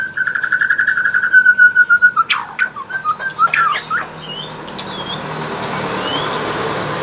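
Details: White-rumped shama practicing rolling trills: a steady rapid trill lasting about two seconds, then varied slurred notes that sweep up and down, fading into soft background hiss.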